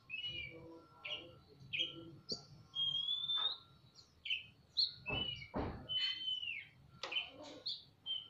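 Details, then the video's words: Magpie-robin pair, male and female, singing back and forth in a semi-natural aviary with tails spread: a string of clear whistled notes, some long and level, others short and falling, broken by a few sharp clicks and thuds. "Burung kacer gacor saut sautan di kandang aviary semi alam (ngobra)"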